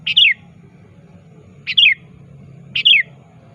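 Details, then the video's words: Sooty-headed bulbul actively calling a rival, a lure call: a short bubbly phrase of falling whistled notes repeated three times about every 1.3 seconds over a faint low hum. "Suara Burung Kutilang Gacor Aktif Memanggil Lawan"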